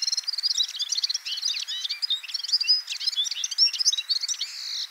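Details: Red-fronted serin (Serinus pusillus) in a continuous, rapid, high twitter: tinkling notes, quick slurred chirps and short buzzy trills run together throughout with no break.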